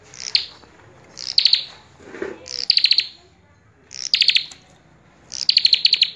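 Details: Common tailorbird, called prenjak kepala merah, singing actively with a full range of phrases: short bursts of high, sharp notes that drop slightly and end in quick stuttering trills, repeated about every one to one and a half seconds.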